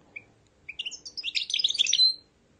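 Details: Tame goldfinch mule: a couple of thin high notes, then a quick jumble of twittering, chattering song. It ends in a clear high whistle, with a faint background hum.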